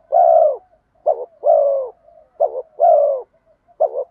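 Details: Spotted dove cooing as a decoy for wild birds, 'giọng đồng pha thúc' style. Long, low, slightly descending coos alternate with short broken double notes, repeated in quick succession against a quiet background.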